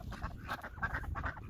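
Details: Female Muscovy ducks at a fenced pond in the evening, around 4:30–5 PM on 7 January 2023, giving soft, breathy whimpering notes in a quick run of about five short bursts over a low rumbling background.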